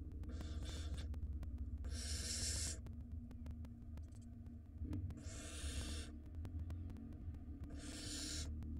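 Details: Barn owl chicks in the nest, where older siblings take most of the scarce prey after a long storm: four loud, noisy screeching hisses, each under a second, separated by short quiet gaps over low hum.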